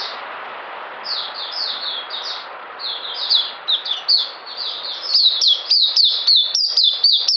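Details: High, soft twitters from a caged oriental white-eye build into sharper, quicker chirps in the second half, a lively run of thin, slurred notes.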